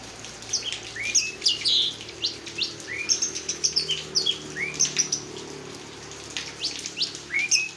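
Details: Orange-headed thrush performing teler song and swaying like a carousel; a busy stream of high, varied whistles, upslurred and downslurred notes, nearly continuous with brief gaps, over a low background hum.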